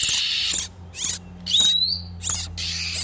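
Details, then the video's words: Oriental magpie-robins, male and female in breeding condition, used as a lure for wild birds: broad harsh bursts around one clear rising whistle, over a low steady hum. "SUARA PIKAT BURUNG KACER TERBARU/SUARA KACER BIRAHI"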